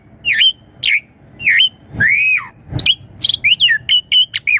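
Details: Asian pied starling lure song for prompting young birds to reply: hoarse rising notes repeated several times, a long arched whistle, then a quick string of short chirps.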